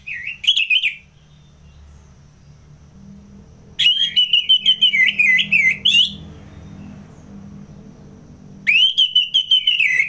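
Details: Orange-headed thrush from Singaraja, North Bali, singing in ngeplong style for training contest birds: three loud bursts of fast, rolling warbled notes repeated about three times a second, separated by silent pauses.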